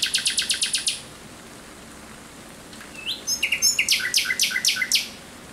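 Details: Thrush nightingale at night, 17 May 2023, opening with a fast even burst of about eight loud clicking notes, then after a pause a rising whistle leads into a string of repeated sharp notes.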